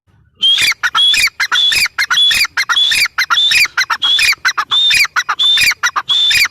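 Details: Strident repeated calling of a grey francolin, or dakhni teetar: coarse, piercing notes delivered in a fast, fairly even rhythm, each paired with a brief whistled overtone, filling the whole stretch.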